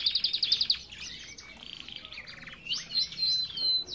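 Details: Belgian canaries kept in an aviary, a quick burst of sharp repeated notes followed by mixed warbles, rolls and clear rising whistles from more than one bird.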